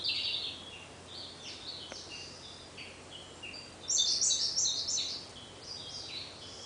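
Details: In a dim thicket at Munakata, Japan, May 2013, a Siberian blue robin gives a short high phrase, then a louder quick rattling trill, against constant low hiss.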